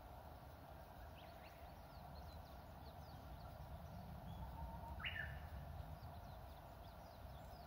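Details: Japanese bush warbler singing in spring at an old temple ground in Inzai, Japan, with cherry blossoms: a soft low whistle leads into one sharp, bright rising-falling phrase midway, while other small birds twitter thinly in the distance.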